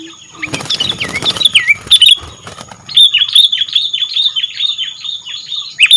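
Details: Sooty-headed bulbul singing actively: a brief crackling noise burst with swooping whistles, then a steady series of short downslurred whistled notes repeated rapidly for three seconds.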